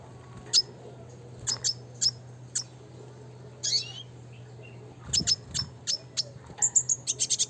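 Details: Classic-style red siskin, used as a training song for other birds: sparse high, sharp chirps scattered over several seconds, some in quick pairs and a brisk run of short notes near the end, with a steady low hum behind.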